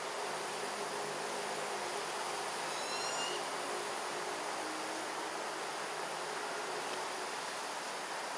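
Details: Buffy fish owl fledgling in Singapore, 17 September 2022 around 6:59 pm, calling while waiting for its parents to feed it; one thin, drawn-out rising whistle with faint overtones near the middle, over steady broadband hiss.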